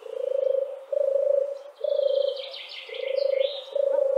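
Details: In Central Russia, a European turtle dove gives low, vibrating purrs, about five in four seconds, each close to a second long, while another bird twitters high in the background.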